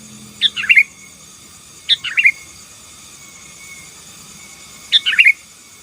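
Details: Sooty-headed bulbul in full 'gacor' song for subduing rivals: three bubbly, tumbling phrases of several quick chirps each, spaced one to three seconds apart, with a faint continuous high whine behind.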